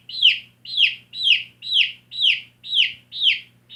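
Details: Backyard chicken chick giving loud, shrill descending peeps at a steady pace of roughly two per second, each chirp a sharp downward-sweeping whistle over a quiet low hum.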